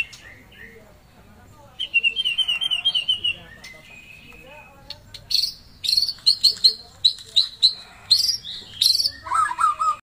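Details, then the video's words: Caged white-rumped shama kept as a pet, singing gacor. After a quiet start come buzzy high trills, then loud bursts of sharp, ringing repeated notes. A lower warbled phrase closes the passage. "Burung muraiy batu Bersuara gacor"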